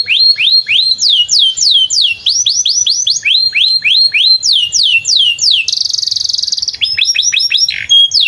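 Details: Canary singing beside a field, used as a lure to teach young canaries to sing and to restart silent ones: rapid series of high downward-sweeping whistled notes, about three per second, then a dense buzzy trill and a short run of quick sweeps.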